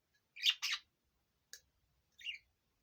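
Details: A pet budgerigar pair, a 7-year-old male and an 8-year-old female, give two quick harsh chirps, then a brief click and a scratchy warble, all bright and high-pitched in a quiet room.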